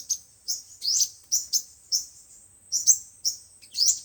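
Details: Sunbird song, five- and seven-colour types, for loudspeaker bird trapping: short bright high chirps, some rising sharply, given singly or in pairs about every half second with a brief gap midway.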